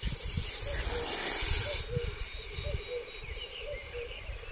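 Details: Black grouse displaying at a lek arena in 2023: a steady low bubbling, cooing roll repeated in pulses, with a loud sneezing hiss at the start and faint high whistles above.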